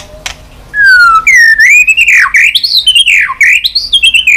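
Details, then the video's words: White-rumped shama, a stimulation recording used to rouse weak-spirited birds and make them sing and flick their tails. A brief note opens, then a rich, loud whistled phrase rises and falls around a steady tone, ending in rapid varied warbling twists. "Chòe lửa tạch liên tục.dùng Kích Chòe Lửa yếu lửa,kích bổi nhanh lên lửa hiệu quả,chòe lửa đập đuôi"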